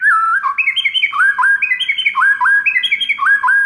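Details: Masteran song of a white-rumped shama, meant to train other shamas and draw their response: rapid, ringing whistled phrases of upward-sweeping notes in quick succession, about three each second, strong and clean throughout.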